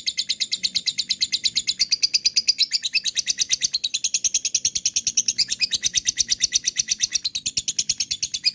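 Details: Long ngekek from a lovebird, used as a lure so other birds respond: a rapid unbroken rattle of high shrill notes, about three per second, running steadily for over eight seconds with a faint low hum underneath.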